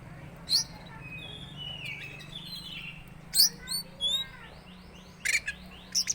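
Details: Teler-type Oriental magpie-robin giving odd calls: a few sharp high chips, thin slurred whistles and a short run of buzzy repeated notes, with faint low background hum.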